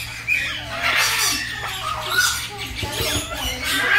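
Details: Young African grey parrot showing affection to a friend while visiting: rough squawks and short whistled notes, some rising, mixed with soft chattering over steady background music.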